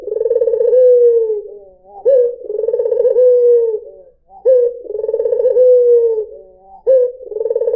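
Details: Repeated cooing from a white dove, meant to lure other birds: low rolling trills that drop into a long sliding tone, three phrases about every two and a half seconds, in clean quiet surroundings.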